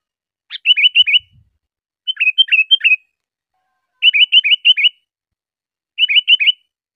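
Sooty-headed bulbul giving short bursts of four bright, bubbly whistled notes, repeated about every two seconds; nothing else is heard.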